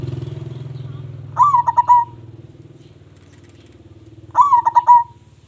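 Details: Local zebra dove in strong, active song, used as a lure for other doves: two stuttering cooing phrases of clipped pulses ending in a long coo, over a steady low rumbling engine noise.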